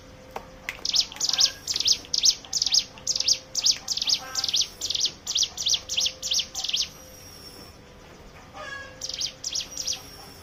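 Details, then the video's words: Hill prinia song played to coax other birds into singing; a long rapid string of bright, high chirped notes, a quiet gap, then a few more. "pancingan ciblek gunung bahan ombyokan"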